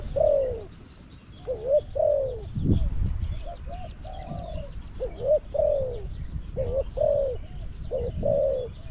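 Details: Repeated soft coo-croo phrases from a Spotted dove used as a caged decoy for catching wild doves at Song Phi Nong, Thailand, short hooked notes leading into longer downslurred coos, a brief thump midway.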